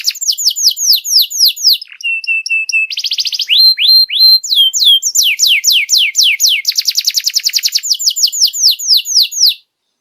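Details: Young canary tutoring song, meant to help juvenile canaries learn and develop fuller song, played in the morning: rapid high repeated descending chirps and sweeps, a buzzy trill near the middle, then a fast rolling trill before ending.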